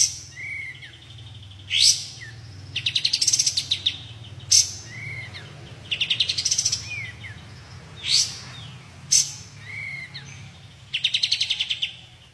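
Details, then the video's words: A white-shouldered triller repeats a loud phrase about every four seconds: a sharp high note, short down-slurred whistles, then a fast, buzzy, stuttering trill. A faint low hum sits underneath. "NGGAK NYANGKA BURUNG INI TEMBAKANYA MANTAP‼️"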